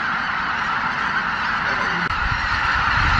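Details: Massed chorus of Greater white-fronted geese departing the Miyajimanuma roost at dawn, 23 April 2017, more than 83,000 birds, overcast weather; continuous layered honks blend into a steady roar with one short dip midway.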